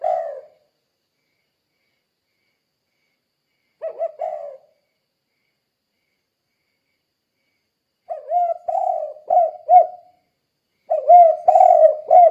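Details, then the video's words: Kuk-kuk calling of a spotted dove, meant as a lure for other doves; scattered short coos at first, then two fuller phrases of low, hoarse, rolling coos toward the end. "Suara Burung Tekukur Gacor Kuk 2 Untuk Pancingan Derkuku"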